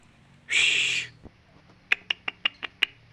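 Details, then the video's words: Male kinoi singing: a short, loud, buzzy high-pitched burst lasting about half a second, followed by a series of six sharp, evenly spaced clicks. "Suara kinoi jantan"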